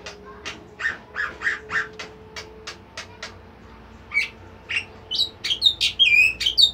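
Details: Bimoli bird in a lively, melodious training-track song: a steady run of dry ticking clicks about twice a second, breaking into quick sliding whistles and looping high notes that speed up toward the end, over a faint steady hum.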